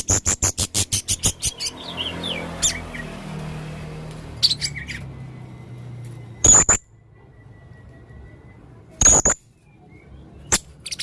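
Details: Vocal male Blue-crowned hanging parrot making strange sounds: a fast train of clicking high notes, a pause with faint twitters, then three isolated piercing squeaks spaced a few seconds apart.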